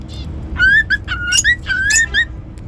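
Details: Cockatiel giving a run of bright whistles, mostly level notes with small upward bends, separated by brief scratchy chirps, all within under three seconds, with faint background hum.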